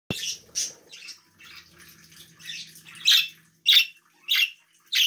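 A budgerigar gives bright, scratchy chirps in quick bursts, calling out to other budgies.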